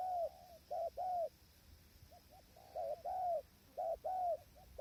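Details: Spotted dove by a tent hide for trapping, strong wind, wild doves far away: smooth low coos, a pair then a run of three to four with quiet gaps, gentle and slightly descending at each note's end.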